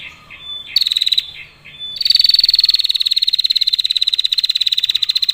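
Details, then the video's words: A female prinia, used as a lure bird, gives a long clear trill: a few short rattles, then a sustained run of evenly spaced, rapid high ticks over three seconds without a break. "PRENJAK BETINA NGETIR PANJANG SUARA JERNIH, PANCINGAN AMPUH."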